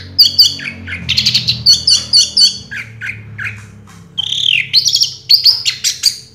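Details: Champion orange-headed thrush from a 2022 singing contest delivers a dense, varied stream of high whistles, squeaks and slurred chirps in quick phrases, with a short pause before another rich burst.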